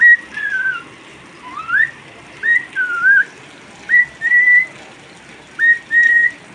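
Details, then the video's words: Cockatiel kept as a pet, singing while it rains: a run of clear whistled phrases, some rising slurs and level tones, delivered in short bursts about once a second. "My cocktiel bird loves rain"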